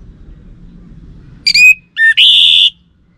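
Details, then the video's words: Orange-headed thrush lure song used to test caged birds, since a male will reply. A sharp falling whistle followed by a long, loud, buzzy rasping note, against a quiet low hum. "Ga Bunyi Dengan Pancingan Burung ANIS MERAH Ini dipastikan Itu Burung Betina, Jantan Pasti Nyaut"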